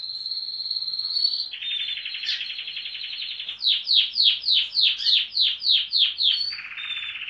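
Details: Singing canaries of varied colours: a steady buzzy trill drops to a lower rolling tour, then about ten loud downslurred notes repeat roughly twice per second before a lower trill resumes.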